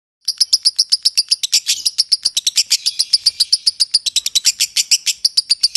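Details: Lovebird in ngekek style, a long unbroken run of sharp, high chirps repeated rapidly, about four per second, evenly paced for nearly six seconds with no other sounds.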